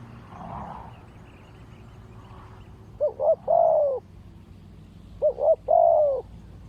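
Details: Spotted dove of Malaysian lineage calling during ground decoy trapping with wild doves: two phrases, each two quick rising notes then one long, level, slightly falling coo, separated by about two seconds; faint rural background hum.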